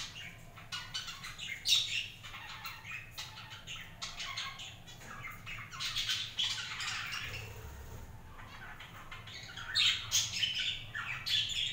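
Budgerigars chatter continuously with rapid, high-pitched chirps, squawks and warbling twitters.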